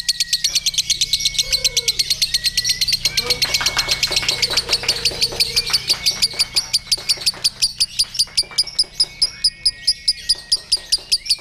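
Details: Lovebird hung at a song contest giving an extended ngekek, a long rapid train of harsh high pulses that keeps an even pace for over ten seconds, with thin whistles from neighbouring birds.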